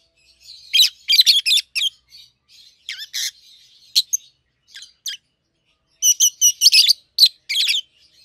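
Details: Two young peach-faced lovebirds raised together, a red-headed green opaline and a red-faced dark green of seven to eight months, chattering with rapid clusters of shrill squeaks and chirps, a quieter gap midway.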